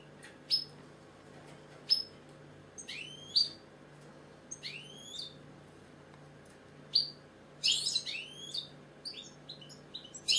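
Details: European goldfinch, a British bird, singing: short bright twittering phrases with rising sweeps, given in separate bursts every second or two, ending in a denser run of tinkling notes; faint steady hum underneath.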